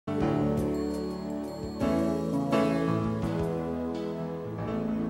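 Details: Soft, sustained instrumental music with layered tones and gentle chimes, and no animal sounds.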